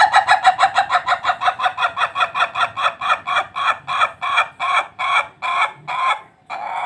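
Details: Ayam ketawa, an Indonesian laughing chicken breed: a rooster crows in a long run of quick, harmonic, cackling syllables that sound like laughter.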